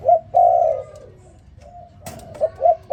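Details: Spotted dove in the morning giving a few low soft coos, a short note then a longer drawn-out one, a pause, then quicker coos after a brief sharp knock.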